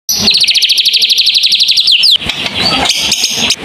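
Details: White-rumped shama singing a long rapid-fire phrase (tembakan panjang): about twenty sharp, evenly spaced high notes in under two seconds, ending in a rising sweep, then varied whistled and chattering notes.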